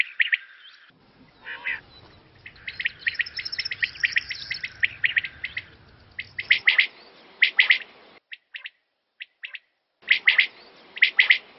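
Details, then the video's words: A quail call used for hunting: sharp, high chirping notes in quick bursts of several, with brief pauses between groups; a faint low rumble sounds early on. "Quail sound"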